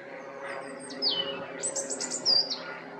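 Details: European robin in spring giving high, liquid song phrases: a sliding, downward-slurred whistle, then a quick series of very high stuttered notes and another bright falling note, over a soft low background rumble.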